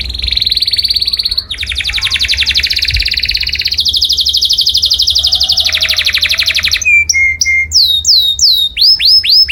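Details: A canary sings loudly as a song for other birds to imitate. Long rattling buzzy trills hold steady for several seconds, then give way to short pure whistles and quick upward-curving notes.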